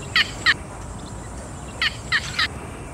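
Yellow bittern giving short, harsh, clipped notes: two quick ones, a pause of over a second, then three more. A steady background hiss underlies them.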